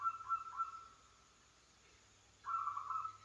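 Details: Local wild zebra dove in full song, used as a lure to prompt other zebra doves to sing. Rolling, trilled cooing notes hold near one steady pitch in two short bursts, split by a quiet gap, over a faint low hum.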